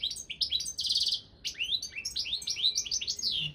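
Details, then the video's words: Balkan European goldfinch entered in an online singing championship, giving tinkling twittered phrases with upward-slurred whistles and a brief buzzy trill, one short pause midway. "Pesma štiglića 002/23 World Championship in Goldfinch Song"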